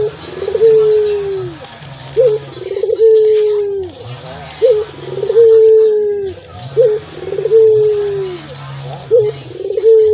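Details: Very loud local dove, kept as a lure bird, cooing steadily: a short clipped note followed by a long, mellow, falling coo, repeated about every two seconds, with a faint low hum behind.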